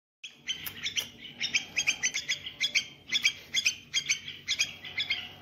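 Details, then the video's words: Small bulbul singing, meant to stimulate other bulbuls into activity: rapid bright chirped phrases repeated about twice a second, high and clear, with slight background hum throughout. "تغريد بلبل صغير 🐥 لتحفيز البلابل على النشاط"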